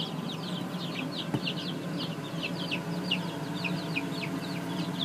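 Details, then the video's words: Chicks from a layer breeding project inside a little brooder coop give a continuous stream of brief high descending peeps, many birds calling at once, with a low mechanical hum underneath. "Cute Chicks In An Awesome Little Brooder Coop"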